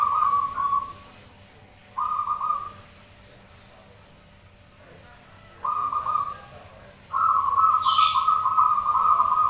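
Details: Zebra doves cooing and answering one another as a lure recording: short, even, tonal cooing phrases at 0, 2, 5.7 and 7 seconds, the final phrase longer and louder. A brief hissing burst comes near the end.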